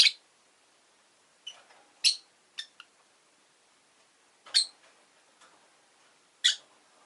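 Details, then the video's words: Rosy-faced lovebird kept as a pet, uttering loud, sharp single chirps every second or two with a few fainter clicks between them, in an otherwise quiet setting. "Lovebird Chirping Sounds"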